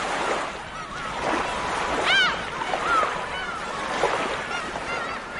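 A gull gives a short, harsh, falling cry with a nasal ring. A few fainter calls are mixed into the steady roar of surf and wind.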